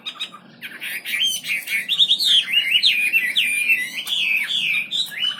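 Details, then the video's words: Wambi bird singing in full, lively voice: a continuous run of rapid whistled notes that slide up and down, fast and unbroken, with a faint low hum behind. "Burung wambi istimewa gacor full"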